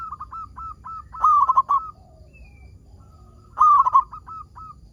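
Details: Local zebra dove in active song, used to set other zebra doves singing: soft short coos leading into a loud rattling coo phrase, a gap, then a second loud burst with trailing coos.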